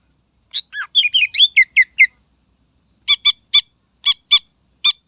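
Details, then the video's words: Fast twittering of varied whistled notes from a greater green leafbird, followed by a steady series of crisp rasping chips, given as song meant to provoke rival birds. "Suara Burung Cucak Ijo Gacor Istimewa Membakar Emosi Lawan"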